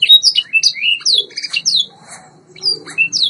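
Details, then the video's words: White Yorkshire canary training song: bursts of sharp falling whistles and warbled phrases separated by short gaps, with a faint low murmur behind. "White Yorkshire Canary Singing TRAINING CD vol. 2"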